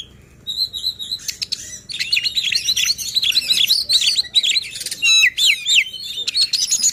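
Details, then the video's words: White-rumped shama song used as a lure to provoke other shamas into singing and to tutor reluctant birds: rich varied phrases of whistles, rapid trills and sharp chattering notes, opening with repeated short whistled chirps, continuous throughout. "Suara KACER Buat EMOSI dan NGOTOT Kacer Lain | Pancingan Kacer Malas Bunyi."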